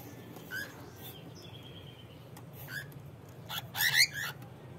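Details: A breeding pair of cockatoos with a clutch, kept in an aviary, gives a few short, harsh, raspy squawks in scattered bursts, loudest near the end, over a steady low hum.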